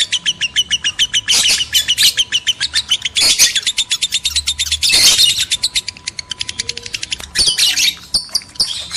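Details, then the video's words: Mating-call recording of male and female lovebirds used to spur breeding: fast runs of sharp, high chirps repeated in even series, broken by several louder buzzy squawk bursts, over a faint constant hum. "PANCINGAN JEBOL BIRAHI BUNYI, BIKIN EMOSI LOVEBIRD JANTAN DAN BETINA"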